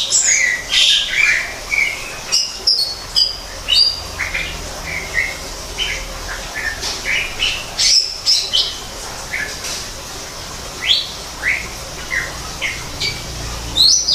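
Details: Greater green leafbird in an aviary built like a natural forest, giving scattered sharp chips and short whistled notes amid other birds' calls and a steady hiss.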